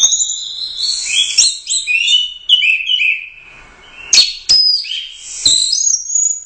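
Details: Gacor teler doyong song of a first-place competition orange-headed thrush: lively high warbling phrases, a brief quiet gap, then sharp clicks and more bright sliding whistles.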